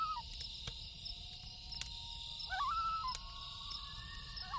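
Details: Night loon call with drawn-out, level wailing notes that bend up at their starts, joined by a short wavering phrase, while a campfire crackles and pops and crickets drone steadily in the background.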